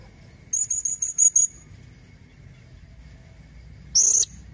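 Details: Female blue-crowned hanging parrot calling to lure red-throated males: a quick run of six very high, thin squeaky notes, then a lone sharp squeak after a pause, over a low background rumble.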